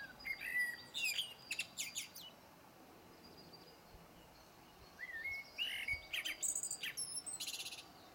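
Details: Blackbird song, faint and distant: short bursts of warbled and whistled phrases with high twittering notes, grouped in two spells separated by a quiet gap of about two seconds, over a steady background hiss.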